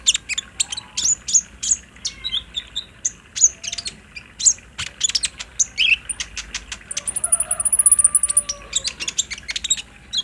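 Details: Olive-backed sunbird song for drawing a kept bird into singing. A quick run of sharp, high ticking notes and sweeping twitters ends in a long, high buzzy trill near the finish.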